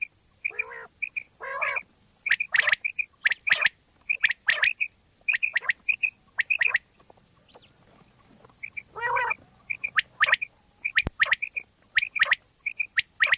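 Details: Common quail in Pakistan, a recording used as a hunting lure. High, short paired whistled notes repeat about once a second, mixed with harsh, buzzy rasping bursts and sharp clicking strokes.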